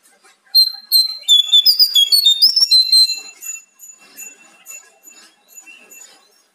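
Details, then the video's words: Bar-winged prinia song, played to stir caged birds into singing: loud, high, clear whistled notes repeated rapidly for about three seconds, some slurred up and down, then quieter scattered notes. "Pancingan jongkangan biar gacor"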